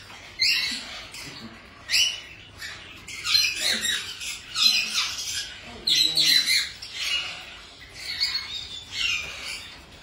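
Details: A playful, cheeky baby yellow-backed chattering lory gives harsh, high-pitched squawks and raspy chatters in irregular bursts, with brief pauses between.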